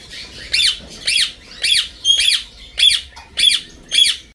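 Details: Senegal parrot (Poicephalus senegalus), call.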